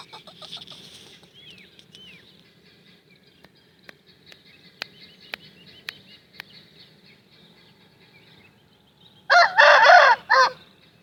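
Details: Aseel rooster giving one hoarse, broken crow near the end, several loud bursts packed into about a second, after a stretch of faint chirps, sharp clicks and low background hum.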